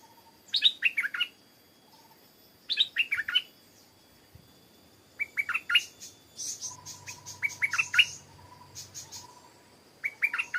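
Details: Stripe-throated bulbul (Pycnonotus finlaysoni) singing short bursts of quick, bubbly, falling notes every two to three seconds, over a thin steady insect whine.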